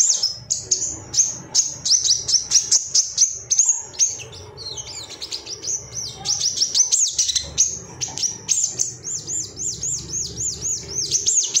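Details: Agitated ruby-cheeked sunbird male calling rivals: a long, dense stream of high, thin twittering notes, rapid and almost continuous, with looping downslurs toward the end and only brief pauses.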